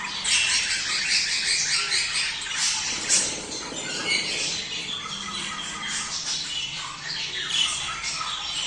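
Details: Budgerigars chattering to stimulate mating: dense, scratchy high-pitched warbling and squawks, many overlapping birds in continuous busy chatter with occasional sharper squeaks.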